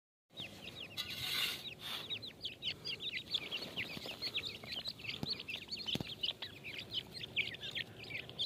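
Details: Grey francolin chicks at feeding time give a dense stream of high, thin peeping chirps, many short upswept notes overlapping almost continuously, with a louder rustling burst near the start.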